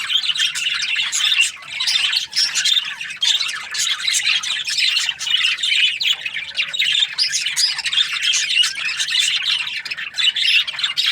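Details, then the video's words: Many budgerigars chirping at once: bright, scratchy chirps and squawks pour out in quick bursts, with only short dips in loudness. "Australian budgies parrot chirping sounds"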